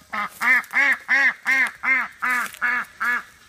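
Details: A female Welsh Harlequin domestic duck, released and running back to her flock of 23 ducks, gives a steady run of nine loud, nasal quacks, about three per second, calling for her flockmates.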